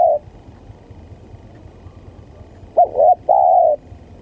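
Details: Spotted dove lure call used for trapping: after a quiet stretch, a throaty two-part coo near the end, a short wavering note followed by a longer steady one.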